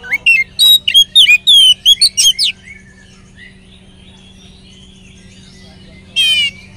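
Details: Oriental magpie-robin song meant to draw other magpie-robins into singing: a fast string of bright whistled and slurred notes for over two seconds, then near silence, then a short trilled burst. A low hum runs throughout.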